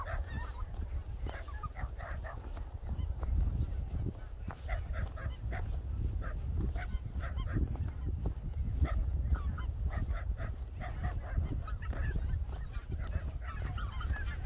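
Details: Greater white-fronted geese at their winter resting place on Korea's Cheorwon plain: short honking calls repeated rapidly by many birds over fourteen seconds, with a steady low rumble of wind.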